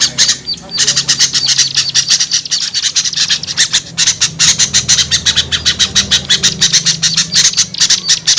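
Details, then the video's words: High, rapid chip notes from small birds in a lure call for small birds, briefly pausing early on, then running on as a thick, overlapping chatter over a low background hum. "SUARA PIKAT AMPUH UNTUK BURUNG KECIL SUSAH TURUN"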